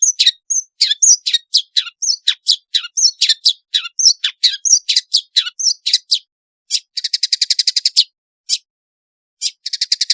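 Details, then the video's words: Long-tailed shrike singing a varied, lively song, used as a lure to get other shrikes singing; rapid sharp chips and squeaky notes tumble fast, then rattling trills of quick repeated clicks. "suara burung pentet gacor isian variasi bisa untuk pancingan cendet malas bunyi"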